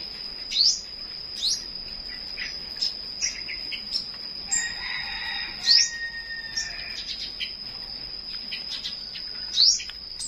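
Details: Flowerpecker singing in the morning: sharp, high upward-sweeping chirps about every two to four seconds, with fainter twittering notes between them over a steady high-pitched whine.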